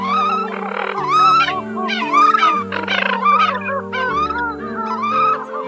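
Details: Eurasian coot recording from the October 2020 migration season, used as a bird lure, giving nasal honking calls that bend up and down, roughly one a second, over a steady droning musical backing.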